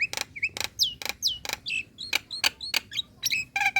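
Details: Female Nias hill myna calling a male in a relaxed manner: sharp broadband clicks alternating with short downward-swooping whistles and chirps, evenly spaced about every quarter second.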